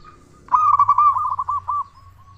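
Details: Local zebra dove, a loud, frequent singer used to prompt other doves: after a faint coo, a strong rapid trill of throaty coo notes lasting over a second, fading into soft steady cooing.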